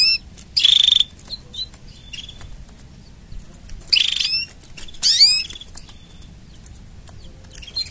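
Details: Canary training song with mating sounds: a bright trill burst, soft chirps, then linked phrases of fast falling whistles and rolling trills.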